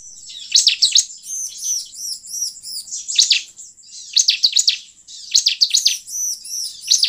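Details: Bar-winged prinia song played as a lure to attract wild birds: bursts of sharp, high chirps and V-shaped notes with rows of looping, ringing trills between them, repeated in short phrases about once a second.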